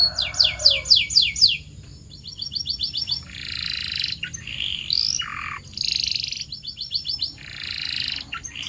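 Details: Canary training song to set canaries singing: sweeping whistled notes repeated quickly, then a fast trill, buzzy blocks, and a low falling note between rolls.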